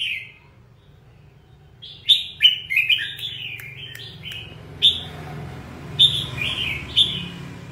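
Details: Red-whiskered bulbul in the 'ché' style, described as fired up. One opening note leads into a rapid tumbling burst of warbled whistles. Spaced single phrases follow, over a faint low hum.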